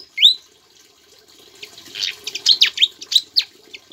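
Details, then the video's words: Caged Javan flycatcher singing actively, its song filled with Ciblek imitations: one high rising whistle, then a quick run of sharp, varied chirps and short whistled notes, over faint running-water-like background noise. "BURUNG SIKATAN JAWA GACOR ISIAN CIBLEK"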